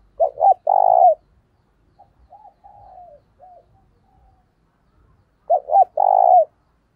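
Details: Spotted dove kept as a lure, giving thúc bổi coos to attract other doves: two sharp short hoots and a long resonant coo, softer falling notes between, the loud phrase repeating after about five seconds.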